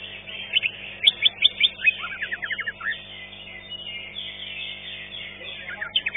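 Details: Green leafbird at a bird-song contest, placed fifth, sings rapid, varied chirps and slurred whistles high in pitch, bursts loudest in the first two seconds, with faint chatter of other birds behind.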